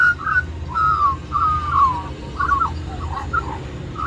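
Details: Magpie singing for mango among a flock at a reserve in Middleton Grange, New South Wales, Australia; long sliding whistles falling in pitch, followed by bubbling warbled notes, constant low hum behind.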